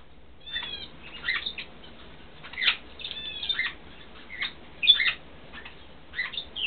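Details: A bonded pair of 3-4-year-old Vosmaeri eclectus parrots, female and male, gives about eight short, harsh squawks and brief whistled notes in irregular bursts with quiet gaps; the female laid an infertile first egg in March.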